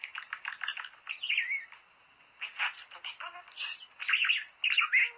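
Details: Budgerigar song meant to stimulate birds to mate: a continuous run of rapid scratchy chirps, squawky notes and short whistles in bursts, with a brief pause near the middle.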